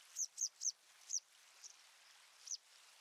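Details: Citrine wagtail: a run of four thin, high, sharp chirps in quick succession, then a pause and one more chirp, over quiet background hiss.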